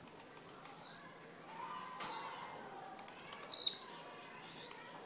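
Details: A young Blue-black Grassquit from Jacarepaguá, Rio de Janeiro, gives short, high, buzzy downslurred notes, three of them spaced a second or two apart, over a faint hiss.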